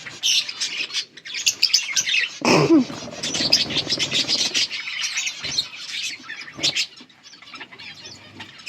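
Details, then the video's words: A flock of yellow budgerigars chattering, mixing sharp high chirps with gravelly warbles and one louder harsh burst early on, the chatter thinning toward the end. "Budgies sounds for lonely birds Beautiful yellow budgies chirping sounds"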